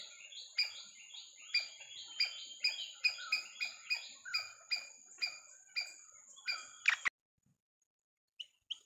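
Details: White-browed fantail, Rhipidura aureola, known locally as bema sudu pawan penda: a busy run of sharp, high chirping notes repeated roughly every half second for seven seconds, then an abrupt cut to near silence with two faint later notes.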